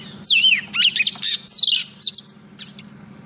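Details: Female Oriental magpie-robin decoy, singing to lure a male into a trap: loud, rapid mix of descending slurred whistles, harsh buzzy chirps and clipped notes, tailing into faint high whistles, with a low background hum.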